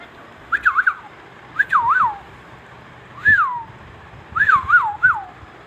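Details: Baby Indian ringneck parrot talking, saying good morning: clear whistle-toned phrases of two to four bouncing, rising-and-falling syllables, given in four short bursts over about five seconds against a quiet indoor background.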